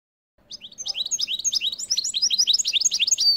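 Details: Caged goldfinch x canary hybrid singing in winter: a rapid twittering run of bright, high chirps and slurred notes, roughly four per second, growing louder and more crowded toward the end.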